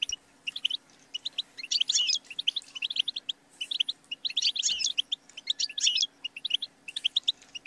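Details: Goldfinch song for coaching songbirds: bouncy twittered phrases swell into dense, buzzy tangles and then thin out again over nearly eight seconds, with a faint steady hum behind.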